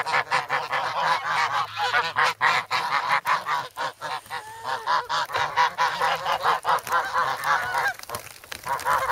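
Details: Young adult geese at Sloterpark, Amsterdam, on a snowy 3 February, noisy and hungry for bread; a loud stream of short honks from several birds, pulsing quickly with tiny pauses.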